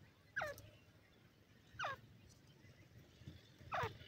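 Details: Grey francolin (gora teetar) chicks in a forest, playing: three short, thin, downward-sliding chirps about two seconds apart over a low rumble of background noise.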